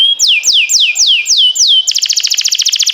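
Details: Singing canary used to train other canaries: five loud whistled notes, each sliding steeply downward, then a fast rattling trill of high notes.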